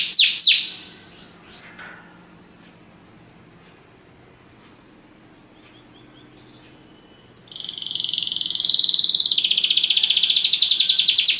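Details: Belgian canary singing, used for song training: a few loud descending sweeps open, then a long near-silent pause before a dense, rapid high trill buzzes steadily to the end.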